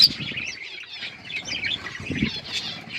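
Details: Budgerigar flock feeding. Softer, steady background of overlapping warbles and chirps from many birds, with a brief rustling patch toward the end.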